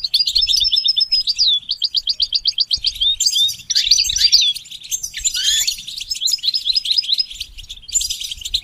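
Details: Goldfinch singing for song training: a quick run of evenly repeated high chirps, then a tumbling mix of twittering, buzzy and sliding notes, all high-pitched and bright.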